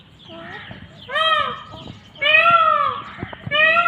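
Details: Indian peafowl calling outdoors: a faint low note first, then loud, nasal, harmonic-rich drawn-out calls with slightly arched pitch, given in bursts about a second apart.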